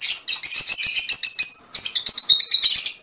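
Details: Mutation Fischer's lovebirds chatter nonstop in shrill, high chirps and squeaky twitters, several notes each second, with no pauses.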